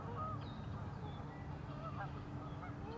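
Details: Several geese on a lagoon in northern Madison, Wisconsin, trade quick, nasal honks in an uneven chorus over a low rumbling hum.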